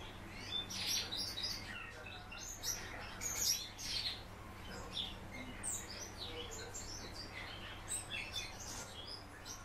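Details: House martin kept in captivity, singing at home: a dense, continuous chattering twitter of rapid high chirps and buzzy trills running through the whole stretch, with a low steady hum beneath.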